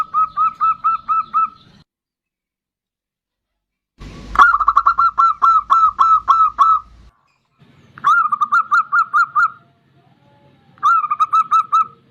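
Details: A zebra dove of the bodronoyo kind singing to lure other birds: four bursts of fast, rhythmic, hollow coos separated by silent gaps, with a soft thud at one burst's start.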